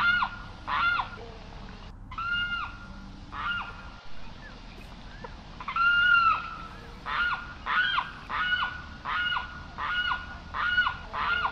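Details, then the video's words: Carrao, or Limpkin, calling in a long series of loud, ringing, wailing cries with rich harmonics. The cries come sparsely at first, then quicken to about two per second toward the end. "Canto del Carrao"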